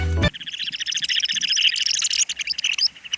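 Curlew Sandpipers give a dense, rippling twitter of high chirrup notes, many birds overlapping in a continuous chatter after a brief sharp thump at the start.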